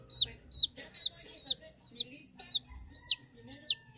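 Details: Newly hatched domestic chicks on a ranch, hand-incubated under a lamp after the hen abandoned them, peeping contentedly. Clear high whistled peeps slur downward, repeating about twice a second in a steady series, with faint background rustling.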